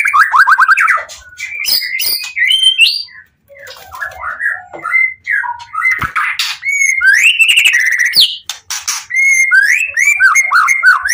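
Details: White-rumped shama in full, agitated song to entice other shamas to answer: varied phrases of rapid descending trills, slurred whistles and scratchy chatter, broken by short pauses, with bright rolling whistled phrases toward the end.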